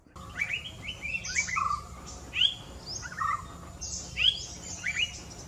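Yellow-browed Bulbul giving sweet, whistled 'tooee' notes, short and quickly rising or falling, in loose bursts every second or so, over a faint high steady hum.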